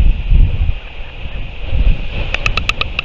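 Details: Northern royal albatross chick together with a parent, 8 July 2023: after gusty wind, a quick series of about six bright, harmonic nasal notes sounds near the end, evenly spaced under strong wind noise.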